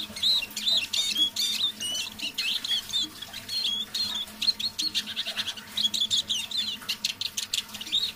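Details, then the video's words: Caged decoy Eurasian siskin singing quietly in the evening, warming up: continuous high, rapid twittering with wheezy, wavering notes and short trills, phrases repeating with hardly a pause. "Песня моего манного чижа"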